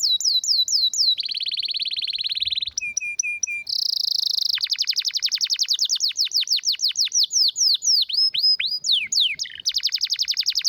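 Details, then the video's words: Strong, rare-sounding canary song used for tutoring: quick descending slurred notes, a flat buzzy roll, brief chips, a dense high trill, then a long run of rapid downward sweeps ending in varied rolls. "Canário com Canto Raro e Forte – Ótimo para Seu Mestre Canário HD - CANARY SOUND MELODY"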